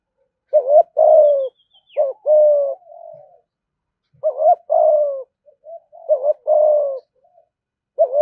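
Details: Fast 'thúc gù' cooing of a spotted dove, described as good for drawing wild doves to the fighting perch: repeated low phrases of a short two-part note and a drawn-out descending coo, with quiet softer coos between.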